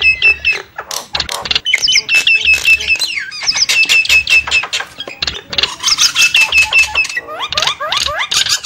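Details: Lure call of Javan mynas: a restless mix of crackling clicks, whistled slurs and squeaky chatter, ending with a series of quick upslurred whistles.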